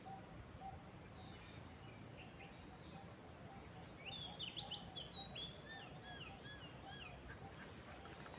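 Common myna giving a brief run of varied whistled and gurgling notes midway, over steady high insect chirping and a dull background rumble.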